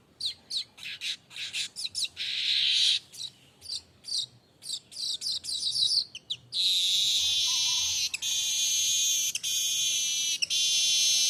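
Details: Streaked weaver singing continuously. Sharp ticking notes and short buzzes run into long, sizzling, high-pitched buzzy phrases that are broken by brief clicks.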